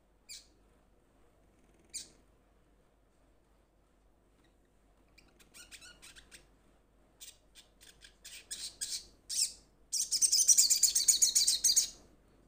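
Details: A babbler (sogon) calling to a companion gives scattered high, sharp squeaks, then rapid clicking notes that build into a loud, harsh chattering burst near the end.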